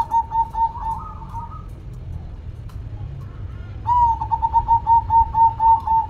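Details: Zebra dove (perkutut) in active song: a short burst of quick coos and a rising note, a pause of about two seconds, then a long string of rapid, pulsing, even-pitched notes.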